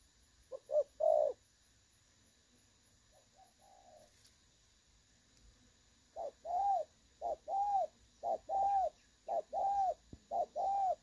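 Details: Spotted dove decoy call, clear 'đồng son' voice for trapping, 16/8/2024: a few coos, a long quiet stretch, then a fast regular series of arched, hooting coos roughly once a second over faint hiss.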